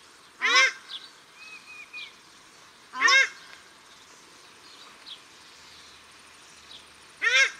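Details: Paradise shelducks, male and female, calling at Cornwall Park, Auckland, New Zealand: loud honking calls with upswept harmonics at about 0.5, 3 and 7.5 seconds, fainter high notes between, steady background hiss.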